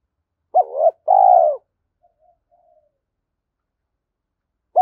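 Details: Lure spotted dove giving one clear coo phrase, a brief rising note then a longer sustained coo, followed by faint soft notes and the start of the next phrase.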